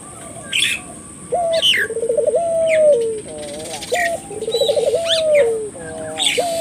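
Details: Spotted dove cooing to encourage local doves to join in: two full phrases of a brief opening coo, a quick burbling run and a long falling coo, with scattered sharp chirps from other birds and a constant high hiss.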